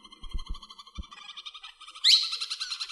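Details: A tame, talking plum-headed parakeet chatters in a thin, buzzy, harmonic voice, then gives a louder sharp screech near the end; a few low knocks early on.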